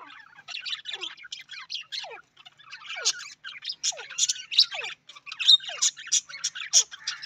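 Budgerigars chatter with a fast, scratchy stream of chirps, squawks and quick downward-slurred notes.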